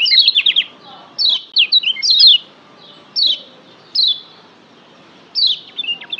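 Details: Lombok yellow white-eye (kecial kuning), a tutor song used to rouse kept birds into singing harder: bursts of high, thin, sharply falling whistled notes, about six short phrases separated by pauses, with faint chirps behind.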